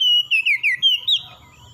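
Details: Oriental magpie-robin morning song, used to help stressed birds recover: a short whistled phrase of slurred, wavering notes stepping down then rising, fading into faint low noise.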